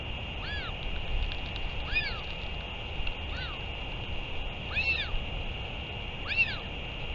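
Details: Northern royal albatross return and feeding, recorded 31 May 2023: five clear arched calls rising and falling in pitch, roughly every 1.5 seconds, with a constant high hum and low-frequency background noise.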